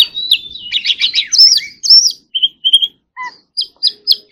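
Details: Oriental magpie-robin giving a quick buzzy trill, then clear whistles and a series of short, evenly spaced chirps at the end, about two per second.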